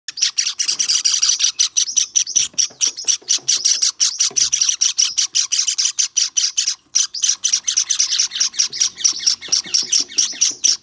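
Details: Hand-tame white Java sparrow chick, recorded 23 May 2021, giving a dense, rapid stream of high, sharp chirps for over ten seconds, with one brief pause near seven seconds.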